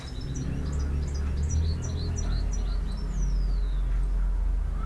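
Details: European goldfinch, described as a field bird, singing a series of short high twittering chirps with a long descending whistle near the end, over strong low rumbling background noise.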